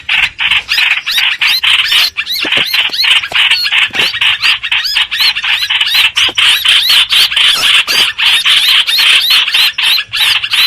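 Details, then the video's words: Streak-eared bulbul used as a bird-trapping lure: nearly eleven seconds of fast, harsh chatter with squeaky slurred whistles, about four notes per second. "Tiếng chim hoành hoạch mồi chuẩn"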